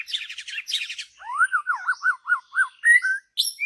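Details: Forest-dwelling wild white-rumped shama in loud song: fast scratchy rattles, then a run of five clear looping whistles, ending in high thin sweeps and a bright whistle.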